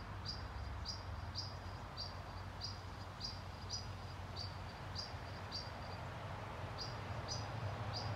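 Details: A European pied flycatcher parent in Sundsvall, Sweden, on 20 June 2023 warns its nestlings in a nest box, giving sharp, high 'pik' alarm notes about twice a second with one brief pause, over a steady low rumble.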